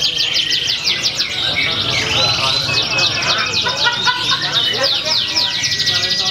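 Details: A competing canary at a Pringsewu songbird contest, 22 September 2019, delivers rapid, continuous high rattling trills broken by short whistled slurs, with several similar singers layered together and a low murmur of people in the background.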